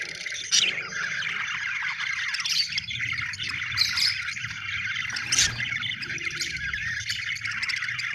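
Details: Chirping budgerigars give a steady stream of warbled chatter broken by a few loud harsh squawks. A low background rumble runs throughout.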